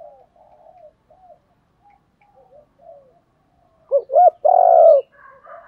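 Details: Spotted dove cooing used to stimulate decoy birds, in calling and fighting coo styles: several soft, faint coos, then a loud three-part phrase of two short hooked notes and a long sustained low coo, with faint higher notes after.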